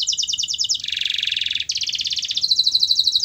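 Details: Canary singing, played so a lazy, quiet canary starts to sing: loud rapid trills shifting between several tempos, one dense buzzy roll, then a fast high rattle and a higher steady trill.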